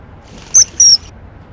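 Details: A common kingfisher (Alcedo atthis) feeding its young gives two shrill, thin, very high whistles in quick succession, the second slightly longer, over faint background hiss.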